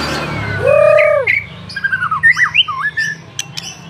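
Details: Captive-bred F4 white-rumped shama singing vigorously: a loud, downward-arched nasal note with strong overtones, then quick varied whistled phrases with rising and falling slurs and sharp clicks, over a low background hum.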